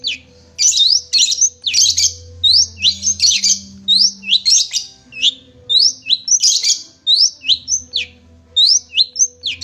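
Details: Long-tailed shrike (cendet) singing for kept-bird training: a lively string of high, upward-hooked whistled notes mixed with harsh scratchy bursts, with a faint low hum in the background.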